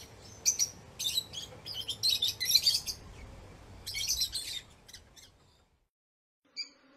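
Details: Lovebird producing busy, high-pitched chirping and squeaky chatter for several seconds, then falling quiet apart from one last short chirp; faint background hiss.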